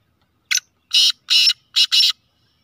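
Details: Black francolin (kala teetar), described as a speeder, chakri wala bird, giving a harsh grating call: one short rasping note, then four louder broad buzzy notes, the last two close together, in a quiet setting.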